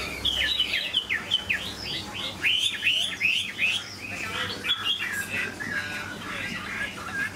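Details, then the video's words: Large caged Chinese hwamei singing a fast series of sharp, downslurred whistles repeated almost three times a second, then a softer jumbled warble, with light background hum. "Chim họa mi bộ to như khướu, dáng ngũ trường, giọng hay"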